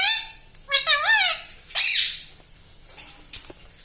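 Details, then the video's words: Pet green ringneck parrot indoors in a small room, talking: a clear harmonic whistled word, then a rising-falling modulated phrase and a sharp squawk, followed by faint softer chatter. "parrot talking everything"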